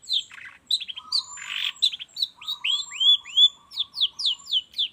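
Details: Long-tailed shrike morning lure song: a lively series of upswept whistles and chips with a short harsh burst, while a lower rattling trill runs underneath.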